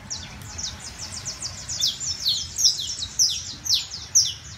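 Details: Song of a criollo canary: bright, high-pitched notes sliding sharply downward, delivered quickly in loud, uneven bursts against a quiet background.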